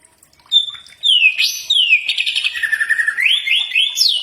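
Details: Common iora singing, a recording meant to teach birds and make them respond. One clear whistle, then swooping phrases, a lower buzzy trill and a series of fast rising notes.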